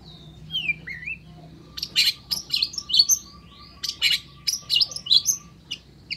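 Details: Energetic long-tailed shrike song meant to provoke other shrikes into singing. A few sliding whistles lead into dense bursts of raspy, chattering notes mixed with sharp high chips. A faint steady tone runs beneath the middle section.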